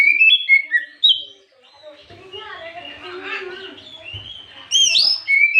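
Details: Oriental magpie-robin singing in the afternoon as a lure: loud whistled phrases open and close the passage, with quieter mixed chattering and warbling between.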